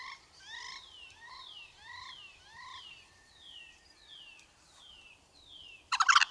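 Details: White-necked crow giving a run of about nine clear, harmonic calls, each note rising then falling, repeated roughly every half second and slowly fading in strength, with a brief loud rustling burst at the very end.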